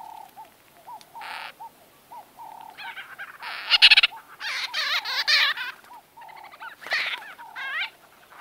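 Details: White-fronted bee-eaters in lively close-up conversation: soft arched notes building into dense, buzzy, rapidly repeated chatter from several birds, with a loud harsh outburst midway and rising trills later.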